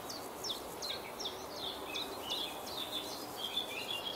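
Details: Common chiffchaff (Phylloscopus collybita) singing at Beemdkant, Wijnegem, 26 June 2020: a steady run of high, clipped notes alternating in pitch, about two or three per second, over soft background hiss.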